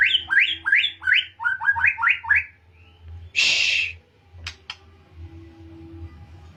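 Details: Pastol-type white-rumped shama practising canary-style phrases sings a fast series of rising whistled notes, pauses, gives one harsh rasp, then a few sharp clicks.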